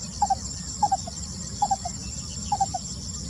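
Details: Lesser coucal singing, recorded 28 May 2020: short hollow hoots in clusters of two to three, falling slightly in pitch, repeated about every 0.7 seconds, against a steady high insect drone.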